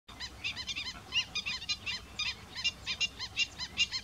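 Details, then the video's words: Greater Flamingo calls, recorded live alongside Slender-billed Gulls: a dense run of harsh, arched honking notes stacked in bands, repeated rapidly and irregularly by several birds. "Greater Flamingo,Fenicottero(Phoenicopterus roseus)"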